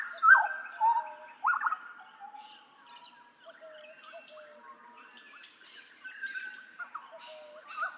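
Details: Master recording of Hooded butcherbird song from Papua for tutoring cage songbirds: a loud fluty opening of slurred whistles, then a long softer stretch of varied warbling, chirps and thin high notes.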